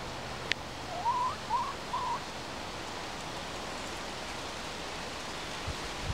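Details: A Silkie hen gives three soft, wavering trills in quick succession, a twirly purr rather than clucking, unlike the owner's other hens and likened to a guinea pig, over a steady background hiss.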